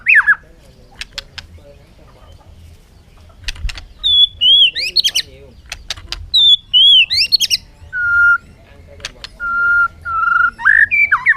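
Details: Bird calling with scattered whistled notes after some opening clicks: short pairs of falling slurs, then several flat, steady whistles with a few upward flicks near the end.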